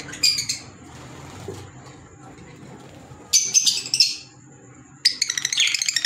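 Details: Pet green Fischer's lovebirds giving three bursts of shrill, rasping squawks and rapid chatter separated by quiet pauses, the last burst stuttering in quick pulses, with a steady high electrical tone and low hum indoors.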